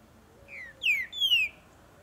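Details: Singing green-winged saltator (Saltator similis) from Brazil in breeding season gives three bright whistles. A softer falling note comes first, then two loud, drawn-out downslurred notes in quick succession.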